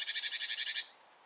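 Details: Bearded reedling, a reed-bed bird, giving a single dry rattling burst of about ten rapid pulses lasting under a second, then quiet.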